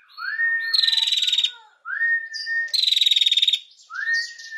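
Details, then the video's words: Female prinia in lively 'ngetir' song, used as tutoring material for captive songbirds. A rising whistled note leads into a long buzzy, rapidly pulsed high trill, and the pattern repeats twice with short higher chips between. "PRENJAK BETINA GACOR NGETIR"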